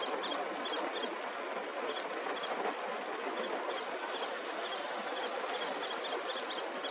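Little tern giving sharp, high, squeaky double notes in quick repeated bursts, over a steady wash of surf or wind.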